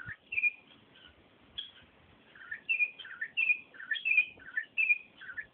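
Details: Sofrê, the campo troupial, delivering loud whistled song: a few isolated notes at first, then a run of mellow, warbling two- and three-note phrases repeated roughly every half second, clear over faint background noise.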